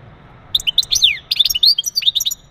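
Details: Male European goldfinch mating song to stimulate a female for breeding: dense, rapid, high twittering with quick upward and downward slurred notes in two close bursts.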